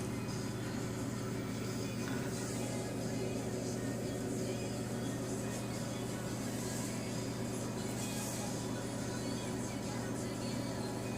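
Dense, steady music-like sound with low rumbling like a vehicle running underneath, filling the whole stretch without any clear animal call standing out.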